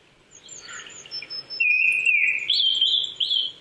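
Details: Japanese thrush song at dawn-time altitude of 800 m in Chichibu, Saitama, Japan, April: soft warbling rises into a strong clear whistle, followed by higher quick whistled notes, with faint thin high tones of another singer behind.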